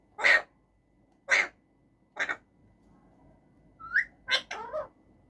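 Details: Male rose-ringed parakeet in a cage giving three short sharp clicks or chirps about a second apart, then a brief rising whistle and a few quick varied notes, quiet room background.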